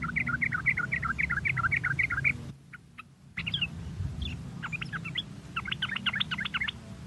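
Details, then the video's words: Lure recording of sooty-headed bulbul song to stimulate singing. It opens with a steady run of repeated two-note bubbly phrases, breaks for a brief near-silence, then returns as scattered, higher, rapid chirps over a low hum. "Pancingan Trucuk Baik agar trucuk Bunyi cepat gacor merangsang suara trucuk ini"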